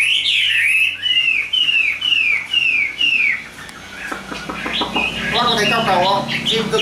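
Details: Chinese hwamei, praised as a good singer, gives a series of repeated downslurred whistles about twice a second, then a jumble of notes mixed with human voices talking nearby.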